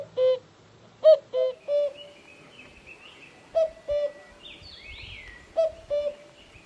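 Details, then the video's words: A cuckoo repeats its two-note 'cu-ckoo', the first note higher and the second lower, about every two seconds, with faint chirps from other birds behind it. Cuckoo. "The cuckoo sound"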